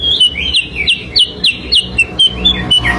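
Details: Sooty-headed bulbul song used as a lure: sharp, bright chirped notes repeated about four times a second in an even, rhythmic series, with slight variation in pitch toward the end.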